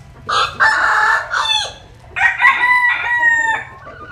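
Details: Two crows from a sunbathing rooster in Vietnam's western region. A hoarse first crow ends with a falling tail, then a brief pause. A second, clearer crow follows with stepped harmonic syllables.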